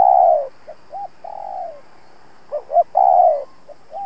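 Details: Spotted dove kept as a trapping decoy, cooing to challenge and lure wild rivals: low, mellow coos, long ones falling off at the end, mixed with short rising notes, in a quiet outdoor setting.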